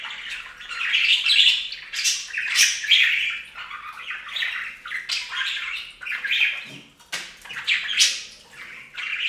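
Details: Several pet budgerigars bathing at a bird fountain, giving dense scratchy chirps and squawks in overlapping bursts, rising and falling in loudness every second or two, with no pauses.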